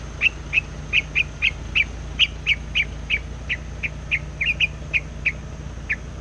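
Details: White laughingthrush lure bird taken into the forest for trapping, singing vigorously without pause: a steady run of short sharp chirps about three per second, slightly uneven in spacing, over a low hum.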